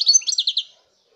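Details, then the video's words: Brief phrase of European goldfinch song, a quick series of bright chirping, rolling notes fading out within under a second. "chant chardonneret"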